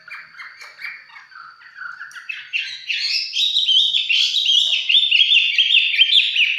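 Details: Casual song from a red-whiskered bulbul in 'mộc chiến' form, close up: quiet chattering notes that build into a loud, fast, rolling series of bright whistled syllables, rising in pitch and steady in rhythm.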